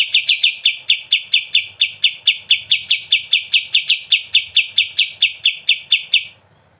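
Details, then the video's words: Sooty-headed bulbul (kapas tembak) singing in the gacor, ngebren style: a steady run of about thirty sharp, high chips, roughly four or five per second, lasting six seconds before stopping. "KAPAS TEMBAK GACOR BESET NGEBREN"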